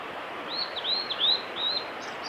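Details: A male blue-and-white flycatcher sings on the Ninoashi forest road on 18 April 2021, a quick phrase of four or five high, clear, slurred whistles over a steady hiss like flowing water.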